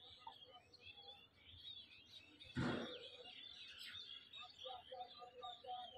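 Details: Small birds calling back and forth: many thin chirps and squiggly whistled notes overlap throughout, with a louder burst of mixed noise near the middle and soft repeated lower notes toward the end.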